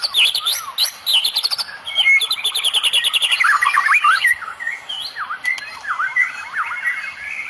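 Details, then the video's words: White-rumped shama, Medan type, full Cililin-style 'tembakan'; high fast buzzy trills with bright whistled notes, then a series of loud looping, rising and falling whistles repeated rhythmically. "Tembakan murai medan full cililin bikin drop musuh"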